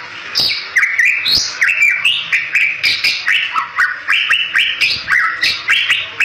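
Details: Bali myna singing, a bird used as a lure for other Bali mynas; a rapid run of varied whistled notes swooping up and down, with sharp clicks and short squawks mixed in, steady through the clip.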